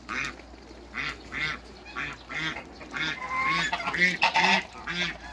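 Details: Several hybrid Cayuga and Muscovy ducks meeting in a backyard give harsh, nasal quacks in quick bursts, roughly two per second, with some overlapping calls and a few higher squeaky notes partway through.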